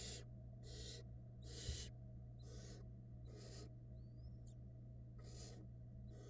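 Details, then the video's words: Barn owl chicks hatched in February 2022, being fed by their mother on a nest cam, give seven raspy, breathy hisses at a quick uneven pace; a thin rising whistle appears midway, a low hum throughout. "Female barn owl feeds her little fluff ball nestlings"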